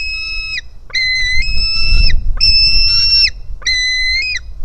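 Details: Hungry white-tailed eagle chick at the nest on 4 July 2018, live camera, begging as it jumps to its mother: four sustained, piercing, level whistles, the first few slightly rising, with short pauses between.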